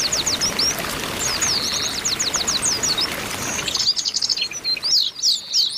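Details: Oriental white-eyes in a group, a female calling to stimulate males, used as therapy to get birds singing: rapid high thin chirps and short downslurred notes, dense and overlapping, quieter and more spaced after four seconds.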